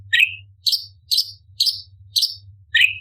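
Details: Orange-bellied leafbird, a competition tutor bird in 'tembakan' style, producing six sharp chirps about every half second, the first and last lower and slurred, the middle four higher and clipped.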